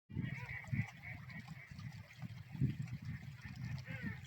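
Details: A dense chorus of birds calling loudly on a lake, with harsh, low honking notes overlapping without pause and a few louder honks standing out.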